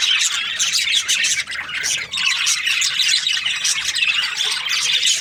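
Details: Many budgerigars during breeding season keep up an unbroken, busy chatter of harsh chirps and rapid warbling squawks, layered from several birds at once.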